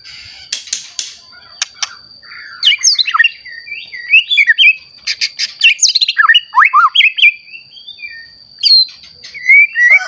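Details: Murai batu, a caged white-rumped shama used to spark song in other shamas, opens with a few sharp clicks, then pours out fast whistled and slurred phrases in bursts separated by short pauses; a faint high hum persists.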